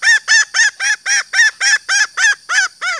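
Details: Female green junglefowl call used to attract males: a rapid, even run of eleven harsh, arched clucking notes, about four each second, over a constant high-pitched insect drone.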